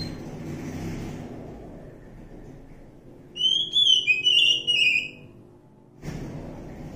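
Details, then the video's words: Oriental magpie-robin in the wild forest delivering one rich burst of tumbling whistled and warbled notes lasting under two seconds, surrounded by quiet stretches with low rumbling noise. "suara asli kacer hutan"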